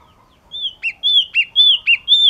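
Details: Yellow-cheeked tit singing: clear, sharp whistled two-part phrases, a high slurred note dropping into a lower one, repeated about every half second, five phrases in a row over a faint low background hum.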